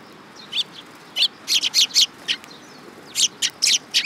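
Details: Eurasian tree sparrows at a Tenmangu shrine on 19 August 2022, coming to be fed, give rapid strings of bright chirps, some upslurred, in two busy bursts separated by a short pause.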